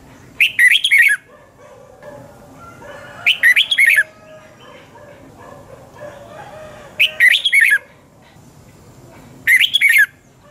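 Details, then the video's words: Red-whiskered bulbul morning song from 2020 in the 'double twist' voice style, used as lure song for training bulbuls: four bright, fast warbled phrases, each under a second, spaced about three seconds apart with faint chatter between. "Luyện chào mào hót sáng 2020 chào mào giọng xoắn kép"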